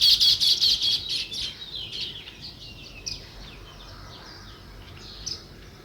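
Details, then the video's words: Sparrows chirping in a natural setting: a burst of rapid, bright high chirps over the first two seconds, then scattered fainter chirps against a quiet background. "Natural Sparrow View and Sounds | Chirping Sounds"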